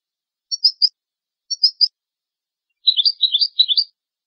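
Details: Goldfinch song used to train young goldfinches and hybrid chicks: two matching triple-chirp calls a second apart, followed by a rolling series of bright twittering notes.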